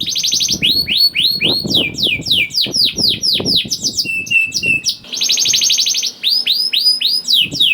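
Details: Canary, young kenari paud, used as a singing lure for other canaries: rapid trills, arched chirps around four per second, whistled notes and a buzzy rolling burst, with soft low thumps.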